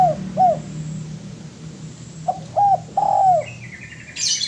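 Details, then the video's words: Spotted dove song recorded as a master track for training birds: a lone short coo, then a pause before a low coo, coo and long drawn, falling croo. A brief high chirping from another bird follows at the end. "MASTERAN DERUK"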